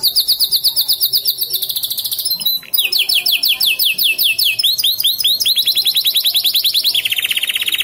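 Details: F1 canary singing continuously in blackthroat-style phrasing: loud, very rapid high trills and rolling repeated notes that switch pitch every second or two, with brief buzzy breaks between phrases.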